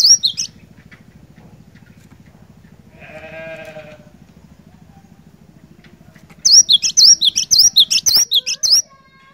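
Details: Cinereous tit singing energetically, used to coax a silent bird into song: a brief high note at the start, a low harmonic bleat midway over a steady low hum, then a quick run of about eight sharp high two-part notes.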